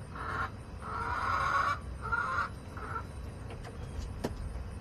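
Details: Backyard chickens in late August: a hen gives long, loud, harsh drawn-out notes, several in a row, then quieter, with low background rumble and a sharp knock near the end.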